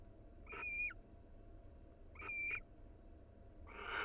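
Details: Wild barn owl pair cuddling inside a nest box: two short wavering, chittering calls with a falling tail about two seconds apart, then a harsh hissing screech starting at the end, over low background hum.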